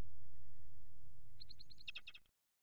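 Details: Peregrine falcon (Falco peregrinus) at a nest box on 4 April 2008, with a third falcon attacking the male perched on the grate while the female incubates: a quick burst of about ten harsh cackling notes growing louder and more urgent, over low wind rumble.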